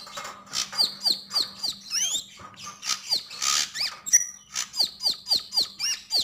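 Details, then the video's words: Sogok ontong, the Javan grey-throated white-eye, singing gacor and ngobra: steady runs of high falling chirps about four per second, broken by a rising-and-falling whistled twist and a raspy burst. "Sogon sogok ontong gacor dan ngobra"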